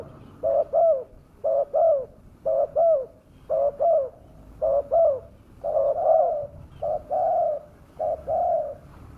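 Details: Spotted dove calls used as a lure to draw wild doves down: repeated short two-part coos around a low mellow pitch, each phrase a quick double note followed by a longer drawn-out coo, about one per second.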